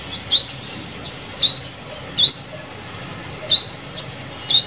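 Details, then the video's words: Bird-trapping lure recording of a sunbird, giving five high, quick upward-sweeping chirps at irregular intervals, with low background hiss. "Tiếng Chim Hút Mật Mồi Kích Bổi"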